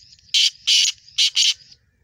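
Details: ['Black francolin call of four loud, scratchy, grating notes, the middle gap longest, run together in under one and a half seconds, with a thin insect hum behind.']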